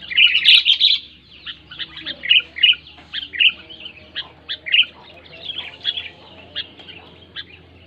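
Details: Clear, loud sooty-headed bulbul voice for prompting lazy bulbuls to sing: an energetic chirping flurry opens, followed by spaced single bright notes roughly every half second.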